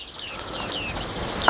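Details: Bearded reedling (Panurus biarmicus) in the reeds where it lives and breeds, at the Karower Teiche nature reserve in Pankow, Berlin, gives a few brief, high, metallic 'ping' calls, irregularly spaced over a soft hiss of reeds and distant sound.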